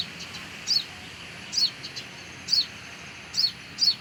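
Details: High, sharp chirps from a sunbird close to its nest at a home: bright, slightly descending squeaks spaced about a second apart, five loud notes over low steady hiss.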